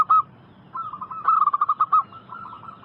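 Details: Local zebra dove song from a lure recording for drawing answers from wild doves: a single sharp coo, then a rapid rattle-like run of pulsed cooing notes that fades away.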